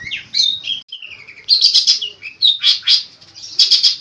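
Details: Long-tailed shrike singing in full voice, song rich in varied mimicked phrases: rapid high chattering notes, short whistled slurs and buzzy bursts tumbling together without pause.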